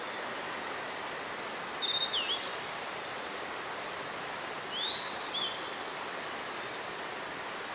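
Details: A Blue-and-white flycatcher sings in mountains of Nara along a mountain stream on 26 April 2019, giving two short phrases of clear, high, slurred whistles a few seconds apart over the steady rush of running water.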